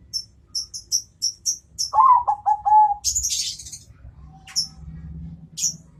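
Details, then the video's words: Zebra dove of the Bangkok type answering a rival with a cooing phrase: a rising first coo, then quick clipped notes and a drawn-out final coo. Before it comes a run of high thin chirps from a small bird, and after it buzzy high chatter. "perkutut bangkok suara istimewa jitu panggil lawan nyaut"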